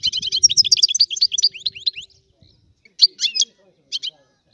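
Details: Sicilian European goldfinch performing a rare old-style song: a two-second stream of quick, high, tinkling twitters, then a pause and a few scattered chirp clusters, with a faint low rumble at the start.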